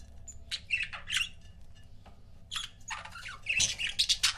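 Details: Pet budgie couples chattering in two bursts of buzzy, scratchy chirps and squawks, denser toward the end, with a brief high whistle near the start and steady low hum.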